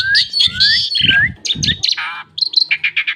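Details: Asian pied starling singing a varied run of rising whistles and slurred notes, then a burst of harsher grating notes and short clipped chirps, with low thumping noises underneath early on.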